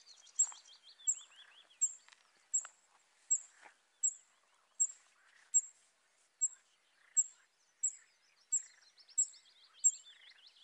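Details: Several Western yellow wagtails beside Lake Drużno in Poland, giving thin, high-pitched call notes at a steady pace of roughly one per 0.7 seconds, over buzzy trilling and scattered chirps from other birds.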